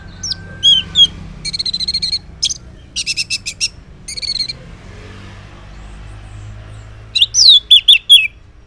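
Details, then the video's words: Orange-headed thrush morning song used to coax silent males to respond: varied phrases of rapid repeated trilled notes with short pauses, ending in loud, looping slurred whistles. "Cocok Buat Pancingan ANIS MERAH Ngeplong di Waktu Pagi Hari Yang Macet yang Bisu Kalo Jantan Nyaut.."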